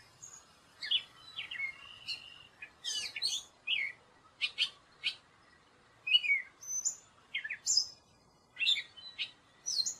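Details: Gray catbird pouring out a varied song: squeaky whistles, scratchy chatters and clipped chips in quick uneven succession, clear over a quiet background.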